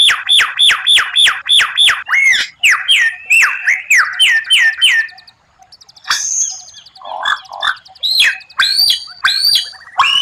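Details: White-rumped shama training song with rare 'tembakan' bursts: a fast series of repeated sharp whistled notes, then buzzy trills, a brief pause, and varied high whistles and chips.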